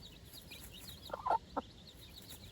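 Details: Four-day-old chicks outdoors on fresh grass for the first time, with their mother. Faint, high, wavering peeps repeat throughout, broken by a few short, lower, louder clucking bursts near the middle.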